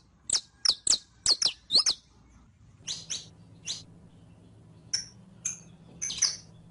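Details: Saffron finch (Sicalis flaveola) kept in captivity, singing for a song-training recording; five quick high piercing chirps, a short pause, then softer spaced chirps and a final clustered burst over a faint low hum.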